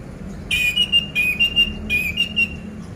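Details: Orange-headed thrush song used to get a silent pet bird singing: three repeated whistled phrases, each a sharp note then a steady level whistle, spaced about seven-tenths of a second apart.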